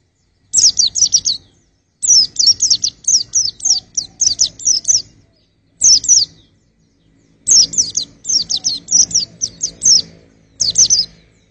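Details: White-eye, kept for testing the singing of other birds, gives bursts of high, sharp down-slurred chirps in quick runs of four to eight notes, separated by short pauses; low faint rumble underneath.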